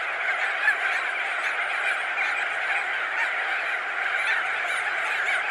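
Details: Massed calls from thousands of crested auklets, perched and in flight, recorded medium close: steady, thick honking clamour of countless overlapping voices, one brief louder note early on.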